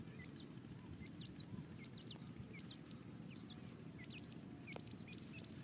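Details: Grey francolin chicks, young birds being tamed, give thin, high peeps, short and quick, scattered several per second over a steady low rumble.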